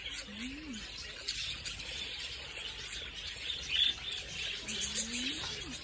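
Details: Flock of budgerigars in a walk-in aviary at the children's zoo of Kodomo no Kuni, Yokohama: constant dense high chattering and chirping from many birds, with a few faint low sliding notes in the background.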